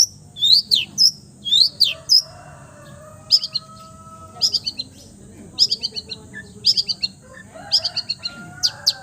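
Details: Long-tailed shrike singing a full repertoire that imitates other birds: bursts of high, sharp upswept whistles and clipped chirps in small clusters, separated by short pauses, over a faint low hum.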